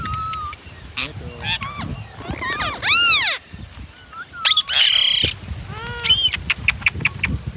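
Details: Ringneck parrot screeching with loud, arched, ringing shrieks, mixed with short chirps, a rasping burst and clicking notes, over a noisy background.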